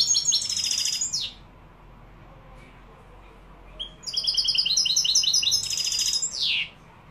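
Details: Moroccan European goldfinch with Málaga-style song: a short bright twitter, a pause of nearly three seconds, then a long phrase of quick, repeated high notes closing with a falling buzzy slur.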